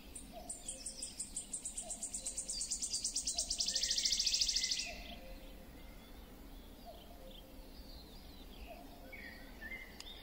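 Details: Wood warbler delivering its song: high stuttering notes accelerating for about three seconds into a loud, shimmering trill, then quiet with scattered faint chirps from other birds.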